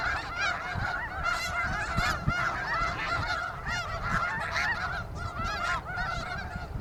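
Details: Massed snow geese at Iona Beach, British Columbia, honking nonstop, countless nasal yelping calls overlapping into a loud, busy roar.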